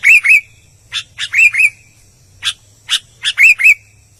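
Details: Albino sooty-headed bulbul singing loudly: paired clear whistled notes that rise and fall, mixed with loud buzzy chips in a lively, uneven rhythm, over a faint hum.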